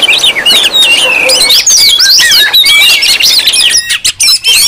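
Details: Crowded Oriental magpie-robin calling intended to provoke other magpie-robins into responding: wavering whistled phrases layered over harsh squawky chatter, breaking into short spaced notes near the end.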